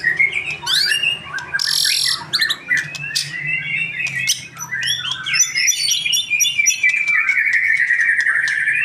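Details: Young male white-rumped shama singing loudly and without pause: a rapid jumble of chirps, whistles and slurred notes, including a brief buzzy burst near the start, ending in a sustained rising-falling whistled phrase, over a steady low hum.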